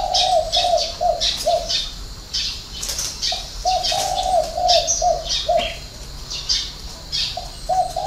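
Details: Six-note spotted dove song with a three-note ending, recorded at a dove-keeping garden in Ba Vì, Hanoi. Two runs of soft, mellow coos are separated by a pause, while high chirps and twitters from other birds run throughout.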